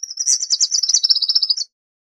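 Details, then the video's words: Wilson's warbler singing a quick, high chattering series of about a dozen chips, dropping slightly in pitch and speeding up, lasting under two seconds. "Wilson's Warbler Song! Wilson's Warbler Call! Sound!- Reinita De Wilson Canto"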